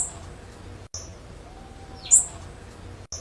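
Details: A single high, sharp, buzzy chirp from a blue-black grassquit, used as a warm-up recording and tagged as a female call. It stands out over a quiet, steady background hum with short silent breaks.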